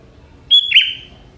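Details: Young forest sooty-headed bulbul, its song said to carry prinia-like phrases: one short burst, a bright high whistled note sliding into a lower, slightly buzzy warble, over quiet low background hum.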